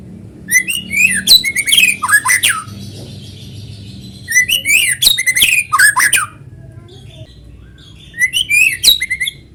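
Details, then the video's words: White-rumped shama (murai batu) singing as a lure to get other shamas to join: three bursts of rapid, sharp descending whistles and chattering notes with quiet gaps between. "PANCINGAN BURUNG MURAI GACOR SUARA ALAMI BIKIN MURAI BATU IKUT BUNYI"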